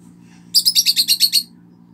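A pet bird gives a quick run of eight sharp, high chirps, evenly spaced, over a faint indoor hum.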